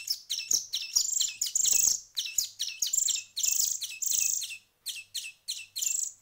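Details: A week of hand feeding behind them, songbird nestlings call with piercing, grating begging notes, several longer loud bursts mixed with short chips and a faint low hum beneath.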